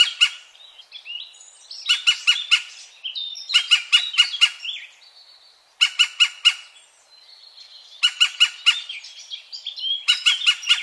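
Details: European green woodpecker, 2017, near Wittlich: repeated volleys of four to five harsh, ringing notes every two seconds or so, interspersed with softer squeaky notes, over a quiet background.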